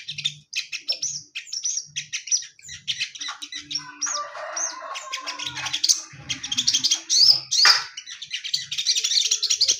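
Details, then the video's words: Male orange-headed thrush in a cage, shown a female, singing bursts of high chattering and whistled notes amid scratchy, noisy rustling, ending in a dense run of squeaky phrases. "Burung sogon jantan di untul pakai betina biar tambah gacor mental stabil"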